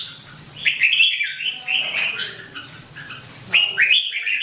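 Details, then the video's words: Red-whiskered bulbul (Pycnonotus jocosus) gives bright, liquid warbled phrases in two bursts, the notes rolling up and down in a cheerful chatter. "Red-whiskered bulbul"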